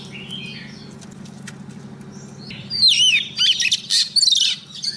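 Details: Female Oriental magpie-robin calling a male, a lure bird: soft faint notes at first, then from about three seconds a loud run of looping whistles and buzzy trills.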